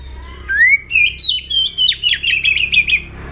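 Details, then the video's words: Oriental magpie-robin in an aggressive mood, its song used as a lure for other magpie-robins. A smooth upward whistle, then a fast series of about a dozen sharp, clipped notes in a rattling run. "Murai Kampung Galak - Denak Murai Cacing - Pancingan Kacer Gacor Langsung Bunyi - Chòe Than Hót"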